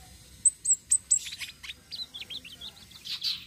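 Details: Flowerpecker, local name tledekan sitrun selendang biru, in rolling song used as bait for other birds: four piercing very high whistled notes, then a quick jumble of lower slurred chips running together.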